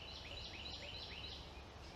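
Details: A Carolina wren in Virginia, recorded on a phone, gives quick, rolling whistled phrases, each a short sweep repeated about three times a second, over a steady background hiss.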